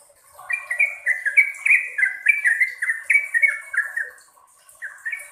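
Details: Yellow-vented bulbul in long singing bursts, a lively run of short slurred whistled notes, each sliding downward, rattled off several per second in a rising-and-falling chain, with a thin steady high tone behind.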